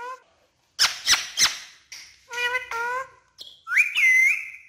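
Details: Talking parrot kept as a pet, speaking Urdu: scratchy squeaks, then two nasal wavering word-like phrases and a bright rising whistle that bends and holds for about half a second.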